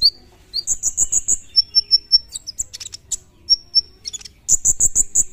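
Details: Olive-backed sunbird song in full 'tembakan' style, used as a tutoring recording: high thin whistled notes alternating with rapid rattling trills near the top of hearing, steady level whistles repeated about four times, faint low rumble beneath.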